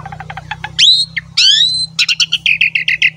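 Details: Asian pied starling song, used to lure other starlings, both young males and females, into song: soft rapid notes, two loud rising whistled slurs, then a run of quick chattering chirps over a low steady hum.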